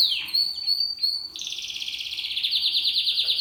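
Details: Song of a seven-month-old male Spanish Timbrado canary, timbrado discontinuo style: a few clear high whistled notes, then a long, fast, even metallic trill that rolls on steadily to the end.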